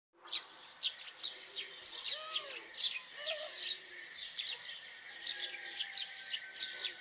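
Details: House sparrow giving loud, sharp chirps in a steady series, roughly two to three per second, each a short downward-sweeping 'cheep' with faint lower murmurs in between.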